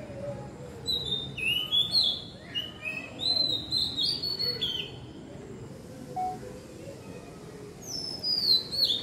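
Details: Oriental magpie-robin singing in the evening: varied clear whistled phrases, rising and falling slurs and short sweeps, delivered in bursts with brief pauses, a higher bright phrase near the end; faint low background hum.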